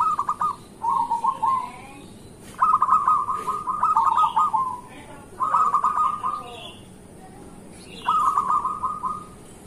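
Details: Local zebra dove giving its energetic morning song to prompt other zebra doves to sing: clipped, rattling coo phrases of one to two seconds separated by pauses, with faint high twitters of other birds in the background.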